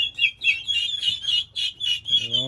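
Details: Several 1.5-month-old young domestic turkeys raising a ruckus on June 16th: high, thin peeps repeated about every quarter second in a steady chorus, ending with a low, buzzy, harmonic sound.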